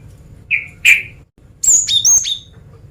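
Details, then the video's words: Female cinereous tit luring males: two lower, short whistled chirps, a brief pause, then a quick run of high, sliding whistled notes stepping downward. "Suara Gelatik Batu Betina Gacor Mancingan Jantan"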